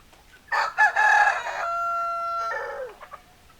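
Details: A rooster crowing loud and clear: a harsh opening burst, then a long, steady, sustained tone that breaks into a falling, rough ending.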